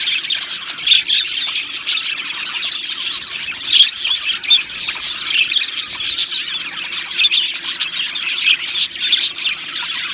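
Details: Australian budgerigars in an aviary colony, singing and chirping: a dense, continuous wash of bright, scratchy chirps and warbles from many birds at once, with sharp peaks scattered throughout and no pauses.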